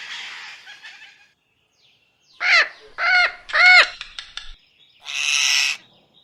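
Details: Indian ringneck parakeet mimicking "mitthu": a soft rasp, then a pause, then three clear arched, voice-like syllables in quick succession, and a final loud harsh squawk.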